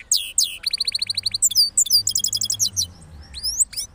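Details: Cross goldfinch song recorded after moulting, from Parachinar: rapid rolling series of high, bright chirps and twittering notes, repeated quickly with short pauses, a few rising whistles near the end.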